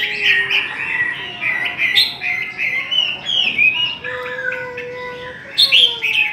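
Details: Chinese hwamei singing in a singing contest: rich, rapid warbled phrases with bright slurred whistles and quick sweeps, broken by brief pauses, with a few lower tonal notes underneath.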